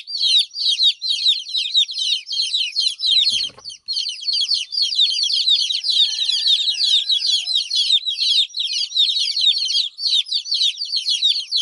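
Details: Many baby chicks chirping in a steady high chorus of shrill, overlapping peeps, a sharp knock near the middle and a faint thin tone briefly underneath.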